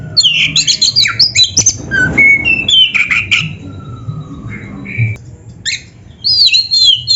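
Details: Kacer song used as a master recording to teach caged birds: harsh squawky notes mixed with sweet whistles and a long falling slur, then a brief pause before bright twittering resumes.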